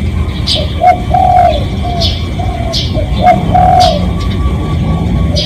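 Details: A spotted dove's real call, played to lure other doves: repeated coo phrases with short lead notes and longer mellow coos, twice in a few seconds, under scattered high bird chirps and steady low rumble.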